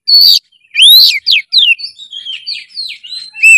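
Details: Oriental magpie-robin singing a lively 'gacor' song full of emotion: bright whistled notes that rise and fall, a long upward slur, then a quicker string of softer warbled and slurred phrases ending in a loud whistle.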